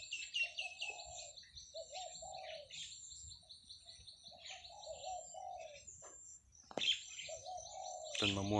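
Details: Zebra dove cooing at 8 a.m. on a Thursday in July in open rice-field countryside where cattle graze: soft, rippling coo phrases every second or two, with higher chirping songbirds throughout and a brief sharp noise near the end.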